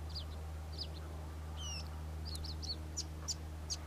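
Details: A Karoo scrub robin in full song: high chirps, one drawn-out flat whistle, then a quick series of sharp ticking notes, with a low steady hum in the background.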